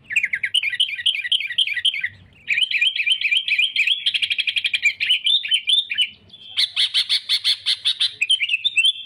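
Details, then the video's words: Sooty-headed bulbul song used as a lure for catching rivals: long continuous chatter of fast rising slurred notes, turning into rapid buzzy trills near the end. "suara kutilang gacor cari musuh‼️ampuh untuk pikat dan pancingan"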